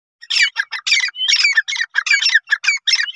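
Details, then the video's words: A female grey francolin (teetar) gives a rapid run of harsh, squawky notes, about four each second, loud and close, with no other sounds. "gray francoline teetar sound | female teetar awaz"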